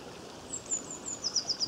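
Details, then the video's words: European robin at a stream in Cornwall, Great Britain, filmed May 2015: a very high, thin series of short piping notes, speeding into a quick repeated run, over continuous flowing-water noise. "Robin Bird Singing A Gentle Song at The Stream"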